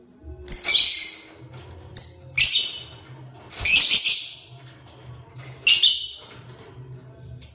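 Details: Lovebird in the morning while eating corn, giving loud, harsh, shrill chirps in separate bursts about every one to two seconds, with a low steady hum underneath.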